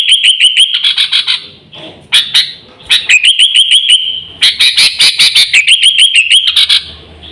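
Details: Sooty-headed bulbul in a lure recording for attracting wild birds and tutoring pet birds: bursts of bright, chattering whistled notes repeated rapidly, broken by short pauses, with a steady high tone running beneath several phrases.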